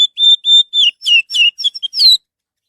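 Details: Orange-headed thrush song, used as a lure to make other birds sing: a rapid run of loud, clear whistled notes, a few level then others sliding down, ending in a brighter falling note, with no other sounds.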